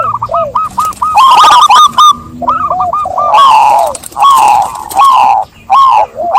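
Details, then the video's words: Zebra dove song: several overlapping voices give clipped, ringing coos around one pitch, in quick stuttering runs with short gaps, some notes sliding downward, over a faint low background hum. "Suara burung perkutut"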